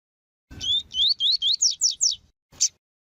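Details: Female Rusty-collared seedeater (Sporophila collaris) calls played to stimulate males: a fast series of seven high whistled notes, the first ones sliding upward, then a single sharp high call.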